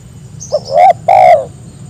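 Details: A spotted dove calls to get companions to answer, a tiny introductory note leading into two throaty coos; faint high chirps from another bird are heard just before.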